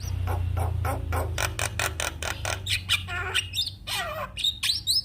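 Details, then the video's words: Champion black-winged starling singing a rapid stuttering series of rough chips that turn into twanging, descending and upswept whistles, against a loud low droning hum. "Kicauan Jalak Kebo Juara"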